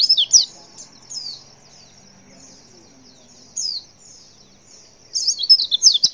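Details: Female white-eye calling to make males answer: scattered high, downward-slurred chirps with long gaps, closing with a louder cluster of rapid twittering notes.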